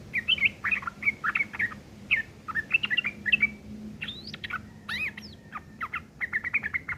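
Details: Rough ngeriwik kasar chatter of a yellow-vented bulbul, a style kept to teach long-tailed shrikes; dense scratchy chirps in quick clusters, broken by a couple of steep rising whistles midway, then renewed fast twitter.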